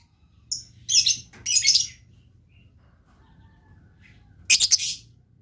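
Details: Blue lovebird: a few short, high, scratchy chirp bursts early on, a long quiet gap, then one final quick rattling squeak.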